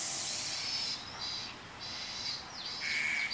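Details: A juvenile Asian koel, in September at Shenzhen University, begs for food from a black-collared starling, giving shrill, hissy begging notes in quick bursts about every half second, with a falling whistle and a thin tone near the end.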